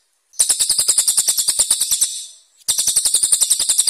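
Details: Masteran recording of a cililin for contest birds, song described as harsh and sharp: a quick, high, buzzy trill of even notes for about 1.7 seconds, a brief pause, then a second identical burst.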